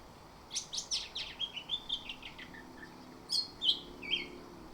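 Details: Orange-headed thrush singing in a morning lure recording used to encourage continuous song: about ten rapid chirps in an even series, then a pause and three louder whistled notes.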